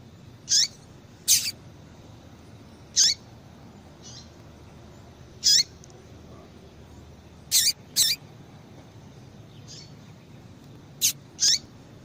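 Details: Female double-collared seedeater giving a series of about eight short, high chip notes, some in quick pairs, at irregular intervals; a call used to warm up males and make them respond and sing. Faint steady hiss beneath.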